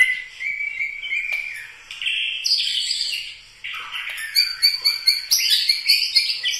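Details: White-rumped shama of genuine Medan Bahorok Bukit Lawang stock: clear sustained whistles that step up in pitch, then a rapid rhythmic series of bright repeated chips and trills.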